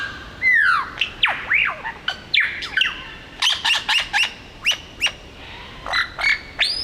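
A superb lyrebird mimicking a kookaburra: loud, varied whistled sweeps rising and falling, then a quick run of sharp repeated notes building into a laughing chatter.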